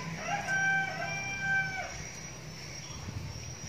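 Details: Young decoy red junglefowl crowing: a single drawn-out harmonic crow lasting about a second and a half, with a rising start and a level, slightly falling close, heard faintly over a steady low hum and a thin high whine.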